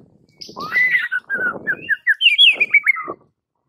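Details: White-rumped shama master song for training mute birds: a rich, continuous warble of looping whistles, falling then climbing into quick bright notes, about three seconds long.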